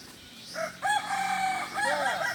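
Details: At a training gathering in Ampang Kualo, Solok, a Kukuak Balenggek rooster crows with a short opening note, then a sustained, slightly wavering tone ending in a dipping flourish, set against a soft background hiss.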